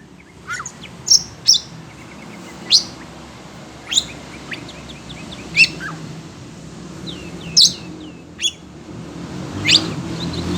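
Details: Kept Oriental magpie-robin (kacer), agitated on hearing other birds' voices: sharp, high whistled notes and quick downslurred chirps scattered every second or so over a low steady hum.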